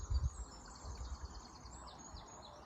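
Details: Wild birds singing at dawn, 5–6 am on 29 May 2022 in Ward River Valley Regional Park, Swords, Co. Dublin, Ireland, recorded on an iPhone SE; thin high chirps and trills over steady rushing water with low thumps.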